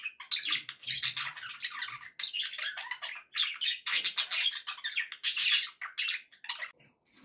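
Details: Budgerigars kept as pets chatter busily, a rasping, squeaky warble broken into bursts about a second long, sound intended to keep other pet birds happy.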